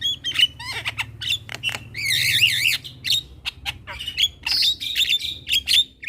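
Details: Daytime calling of a young Javan myna that draws replies from other mynas: sharp whistles and squawks, with a long warbling wavering phrase in the middle and a low hum underneath.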